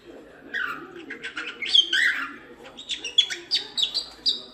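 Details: Cockatiel song used for training cockatiels to sing: fast chattering chirps mixed with rising and falling whistled notes, fairly steady in loudness.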